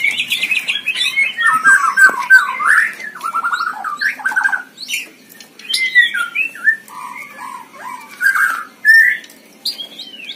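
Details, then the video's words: White-rumped shama at a singing contest, delivering a varied song of slurred whistles, rapid chattered phrases and sharp squawky notes in quick succession, with brief pauses between bursts. "GANTANGAN MURAI BATU || GACOR DORRRR"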